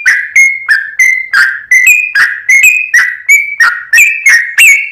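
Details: Sooty-headed bulbul in a lure recording, singing actively: short bubbly whistled notes near the same pitch, each with a sharp onset and slight rise or fall, delivered in a brisk chattering series of about three notes per second.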